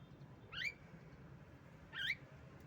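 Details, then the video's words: Two loud, harsh squawks from a female Javan myna, a lure for birds that have stopped singing, each a short rising-falling screechy note, about one and a half seconds apart, over low background hum. "pancingan jalak kebo Macet Bunyi"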